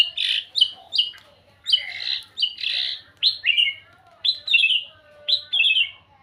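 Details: White-rumped shama singing: bright whistled notes, each sliding downward, repeated in short bursts about once a second, with a faint low hum underneath.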